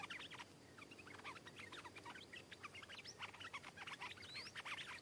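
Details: Wild stripe-throated bulbul arriving to counter-sing and fight a caged bird, giving a steady stream of rapid, chirpy, bubbling notes with a few rising whistled slurs near the end.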